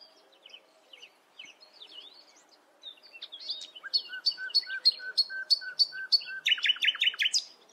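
Common nightingale singing: soft, varied twittering, then a loud series of about ten evenly spaced ringing notes, ending in a rapid, buzzy, descending rattle.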